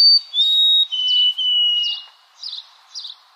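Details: Song of a white-throated sparrow: a high whistled note drops to sustained, steady pure tones, with a few short buzzy chip notes repeated after the whistles.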